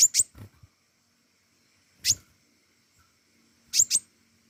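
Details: Pentis raja flowerpecker calling vigorously: three bursts of sharp, very high, doubled chips, each a quick pair of dry ticks, spaced about two seconds apart, with soft low knocks beneath the first burst.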